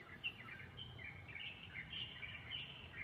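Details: Light-vented Bulbul on a balcony on a holiday afternoon, calling loudly to a nearby companion and flapping its wings excitedly, giving quick, bright chirps and short warbled phrases in a steady chatter over a soft low rumble.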